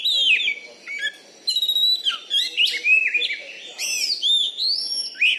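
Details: Caged champion Oriental magpie-robin (kacer) from Bengkulu, Indonesia, a contest bird with a loud, fighting singing style: rich varied whistles, slurred down-sweeping notes and high thin trills follow each other rapidly with brief pauses.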